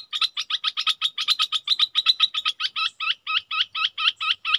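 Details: Decoy Red-whiskered bulbul calling in a rapid, even string of crisp chirps, about four per second, that shift partway through into hooked, slurred notes. Quiet background.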